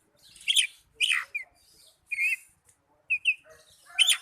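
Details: Oriental magpie-robin song played to rouse quiet caged birds; a few loud scratchy chirps and short downslurred notes spaced by pauses, over a soft background hiss.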